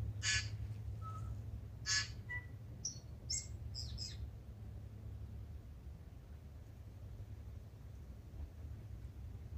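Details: Tūī calling as it wakes before sunrise in Manawatu, New Zealand: sharp broadband clicks and cracks mixed with short clear whistled notes, scattered over the first few seconds, then quiet with a steady low background hum.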